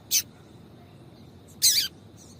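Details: Calling female yellow-bellied seedeater, used to stimulate the male: a short high chip followed by a longer, slightly descending, buzzy high note, set against low quiet background hiss.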